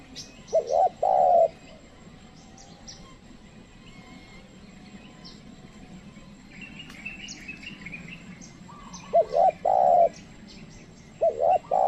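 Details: A trained spotted dove calls to wild birds that will not approach. Brief low coo phrases come near the start and the end, with long gaps between them filled by insect buzz, scattered bird chirps and background noise.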